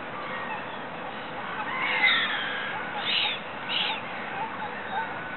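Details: Water rail calling from a ditch in Regent's Park: a drawn-out harsh squeal followed by two short, loud, rasping bursts, with a steady urban background rumble.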